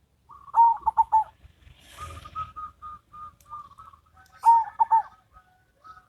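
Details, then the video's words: Duet of a local and a crossbred zebra dove: rapid, pulsing cooing phrases open and close the recording, separated by a softer run of evenly spaced short coos, over faint low background noise. "Perkutut Lokal VS Perkutut Crossing"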